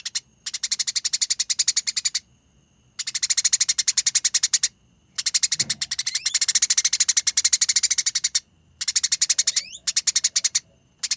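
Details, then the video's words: Eurasian tree sparrows fighting, in a training recording with a rolling, chattering style described as long and close. Fast harsh chirps come in dense bursts of about two seconds, separated by short silences, and one rising whistle slides upward near the end. "Masteran Gereja Tarung Konslet Gacor Ngerol Nyerecet Rapat Panjang Suara Jernih"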